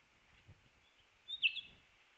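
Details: Evening grosbeak at a backyard feeder in Manitouwadge, Ontario, late morning, 2 February 2018, gives a single short, bright chirp, high and slightly burry, lasting under half a second against a steady faint hiss.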